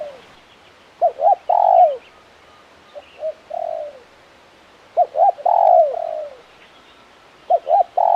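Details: Crisp, busy cooing from a spotted dove of the KUK 1 style: paired quick coos lead into a long falling note and a softer trailing coo, the sequence coming three times with brief gaps.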